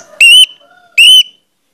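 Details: Lure song of an orange-headed thrush, used to prompt other birds to sing: two drawn-out, loud, rich whistles, each rising slightly, with a faint soft note between them.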